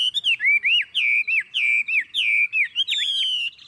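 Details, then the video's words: Hand-carried, tame caged Chinese hwamei singing strongly: rich, clear whistled phrases, each a rising-then-falling slur, repeated in quick succession, ending in a sustained ringing note. "Họa mi thuần điện căng đét - Xách tay lắc lồng hót đỉnh"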